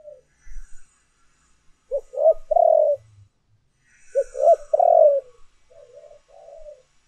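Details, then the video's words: Spotted dove urging and calling coos recorded as a lure: two clear phrases about two seconds apart, each with clipped rising notes and a long, mellow coo, followed by quieter, wavering trailing coos. "tiếng cu gáy thúc và gáy gọi hay nhất"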